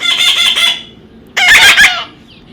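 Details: Baby parrot being tamed, making two rasping screeches about a second apart as a person urges it to come.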